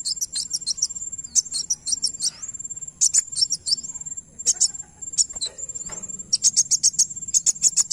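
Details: Van Hasselt's sunbird song used to make another bird reply: rapid clusters of shrill, high chips in quick runs, separated by short pauses, above a constant thin whine.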